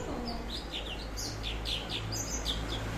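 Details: Grey-cheeked bulbul (cucak cungkok), noted for a rich, varied song and for copying other birds, delivering fast chattering whistles, short downslurred notes repeated several times a second, over a steady low hum.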